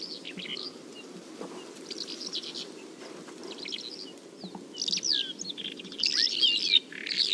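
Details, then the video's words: Song of the bimaculated lark in Turkey: faint, scratchy high warbling phrases that grow louder and busier toward the end, with quick sliding notes, over a steady low rumble. "Boğmaklı Toygar, Bimaculated Lark"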